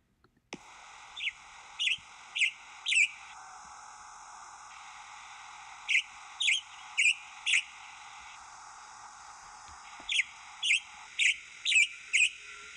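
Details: Western Tanager in riparian forest at Patty Canyon singing three robin-like bursts of four or five quick, hoarse notes, with pauses of a few seconds between clusters, over a steady background hiss.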